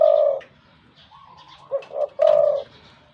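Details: Wild-caught spotted dove (Spilopelia chinensis) kept as a big-voiced decoy bird, giving deep, mellow coos: one long note, two short quick ones, then another drawn-out coo over a faint low hum.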